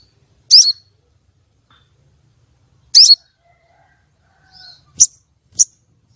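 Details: Calling female common iora, used to lure and arouse males for contest birds: two rasping, slurred high notes about two seconds apart, followed by two brief sharp chirps and a soft whistle.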